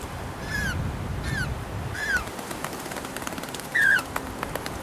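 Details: African penguins (Spheniscus demersus) at a hillside nesting colony of hundreds near Cape Point, many in man-made burrows, give four short, nasal, honking notes that slide downward, spaced irregularly with the last loudest, over low background rumble.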